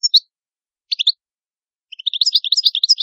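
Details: {'animal': 'European goldfinch', 'caption': 'Italian goldfinch (cardellino) song: a few isolated sharp chips, then a quickening run of liquid twittering notes.'}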